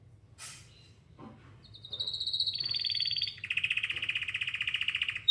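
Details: Singing canary looking for other canaries: after a brief chirp, a long steady whistle steps down into fast, pulsing trills that grow louder toward the end.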